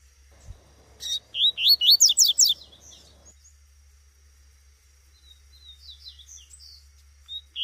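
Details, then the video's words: A female Double-collared seedeater's call in the bush: a loud, fast string of rising chirps, followed by softer, distant chirps and a final note. "Coleiro tuitui no mato com PIADO de FÊMEA fougoza"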